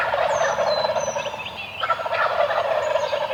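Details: Several Eastern wild turkeys on the roost at dawn keep up continuous rapid rattling gobbles that overlap into a steady din, while small birds add slurred high whistles and chirps over the top.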